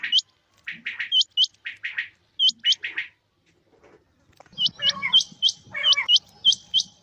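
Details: Quail, male and female, calling in rain: hooked high chirps in irregular runs, a lull midway, then a faster overlapping series of sharp hooked notes over a soft low rumble.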